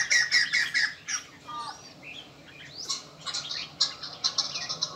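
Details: White-crested laughingthrush that sings and dances all day after eating a house gecko: bursts of harsh, rapid chattering notes, then a quieter gap with a few thin slurred whistles, then more choppy chatter.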